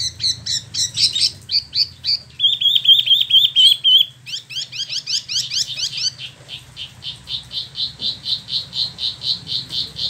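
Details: Caged Spot-throated babbler, known locally as Wambi Mini, imported from mainland China and Vietnam, kept about a year, newly moulted, in Bandung, West Java, Indonesia; rolling ngeroll song: fast chattering notes, a short trill, then a steady run of repeated notes about twice per second.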